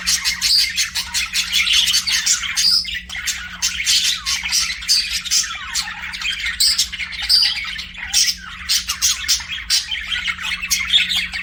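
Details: Pet budgies singing and chirping, a long stream of rapid scratchy warble, clicks and squeaky whistles, rising and falling in loudness over eleven seconds with a low background hum.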